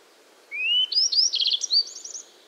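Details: Yellow-browed bunting (Emberiza chrysophrys), an East Siberian species, sings a brief, high, varied phrase: thin rising whistles, then quick tinkling trills, lasting about two seconds.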